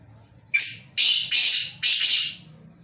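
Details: One rasping call from a kept black francolin: a short clipped first note leading into three longer, coarse, scratchy notes spaced about half a second apart, a faint steady high whine underneath.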